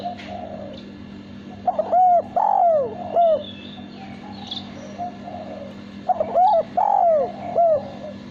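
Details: Captive male spotted dove cooing for contests, two full phrases with quick introductory notes, a long falling middle coo and a clipped end note, faint chirps between phrases.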